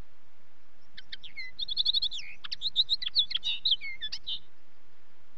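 A common linnet sings a fast, jumbled run of twittering notes, buzzy trills and short whistles for about three and a half seconds, with a faint low background hum.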